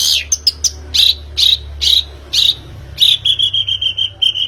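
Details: Lure of a long-tailed shrike (pentet) to get a bird singing: high scratchy notes repeated roughly every half second, then a quick even string of clear whistled pips.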